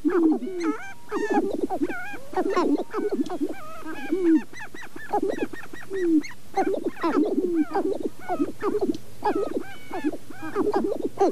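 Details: April sharp-tailed grouse at Namekagon Barrens, northern Wisconsin, recorded through two Sennheiser ME67 microphones on a Canon 5D Mark II: a continuous chorus of goose-like honking coos and rising yelps in clusters, with a faint low hum beneath.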